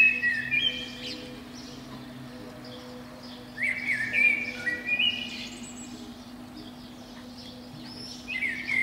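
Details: Eurasian blackbird singing at dawn in spring from the crown of a pine below a window: short whistled phrases rising and falling, separated by pauses, with a constant low hum in the background.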